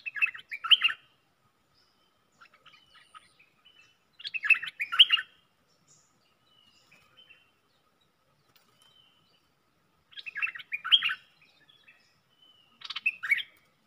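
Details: Caged red-whiskered bulbul used as a luring decoy gives four short, choppy warbled phrases spread over about fourteen seconds, with faint scattered chirps between.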